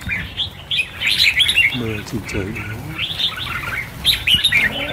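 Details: Flock of about 1000 Red-whiskered Bulbuls being released: overlapping loud chirps and warbles from many birds, with a short low murmuring sound in the middle.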